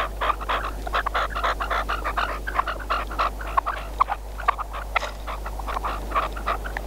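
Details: Red-legged partridge kept as a hunting decoy calling: rapid bursts of rough, clucking chuck notes, uneven in spacing, louder pulses standing out, over a constant low hum.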